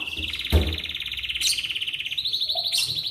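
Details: Morning song of an Atlantic canary, played to encourage other canaries to sing: a long, rapid, high rolling trill held steadily throughout, broken by one sharp click and a brief higher note.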